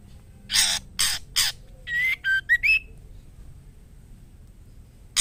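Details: Female white-rumped shama in breeding condition calling a male: three scratchy rasps, then a rapid four-note whistle ending with a rising note, followed by near silence and one last rasp.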